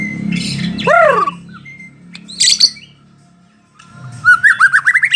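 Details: White-rumped shama of the Bahorok type, a kept songbird: a harsh squawk with a bold arched note, a pause, then a rapid run of rising whistled notes, over a low hum.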